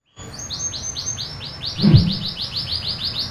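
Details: Local canary singing its natural, unembellished song without learned imitations: a fast series of repeated high rising-falling whistled notes, about five per second, with a brief low thump midway and faint low background hum.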